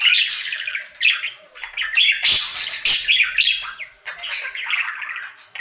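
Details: Singing pet budgerigar at home on its daily routine, rapid chattering warble of raspy squawks, clicks and whistled squeaks in bursts separated by brief pauses.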